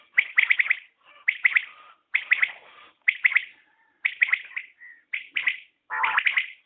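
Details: Common quail, batair, calling in a new recording: crisp three-note phrases of sharp liquid notes, each phrase repeated roughly once a second with short silent gaps between.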